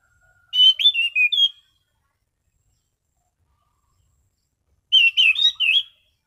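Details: Orange-sided thrush in captivity, singing calmly in clear "ngeplong" style: two quick bursts of four or five ringing, warbled whistles about a second long each, separated by roughly three seconds of silence.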